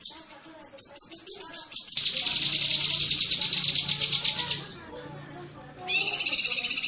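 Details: High-pitched chattering bursts from a cucak kinoi bulbul, recorded as tembakan cerecetan master sound for pet birds. Short descending notes come first, then a dense, fast buzzing rattle and a whistled phrase at the end.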